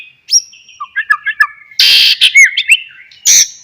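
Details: White-rumped shama, a singing bird played as a lure to prompt other shamas to answer: sharp whistled upslurs, short chirps and bursts of harsh buzzy notes with rapid varied phrases.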